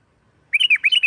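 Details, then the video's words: Sooty-headed bulbul, lively and loud, singing to provoke other bulbuls: after a pause, a quick burst of six bubbly, slurred whistled notes. "Suara Burung Kutilang Gacor NGGARUDA TARUNG ini sangat Cepat memancing Kutilang LAIN Gacor...!!!"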